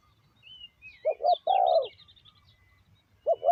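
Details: Decoy spotted dove luring wild birds: one full phrase of paired short coos and a long rolling coo, then the next phrase starting, with thin whistled notes of another bird above.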